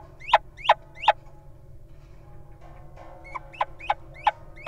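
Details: A little owl at an occupied nest box guards its mate while the partner goes inside. Three quick sharp calls, a pause of nearly two seconds, then a fresh run of clipped upward-sweeping notes. A low hum runs underneath.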